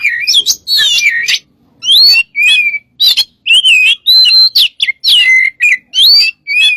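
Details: Gacor Oriental magpie-robin song used as a lure: a lively string of whistled upslurs and downslurs, short chips and wavering notes, grouped in quick phrases with short pauses.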